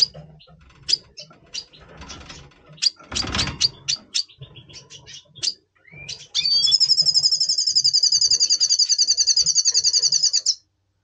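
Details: Double pastel red siskin in pre-breeding condition, caged, November 2023: a run of sharp, rapid chirps, a burst of rustling, then a long rattling trill of about forty quick pulses lasting four seconds, high and buzzy.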